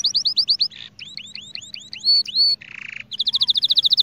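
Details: Spanish Timbrado canary training song: quick trilled notes, a series of arching whistles, a short low buzzy rattle, then a very fast, even trill of high pulses.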